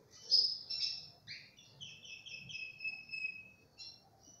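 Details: Tricolour Belgian canary singing: a few bright high notes followed by long, smooth descending whistled trills, quiet and clear.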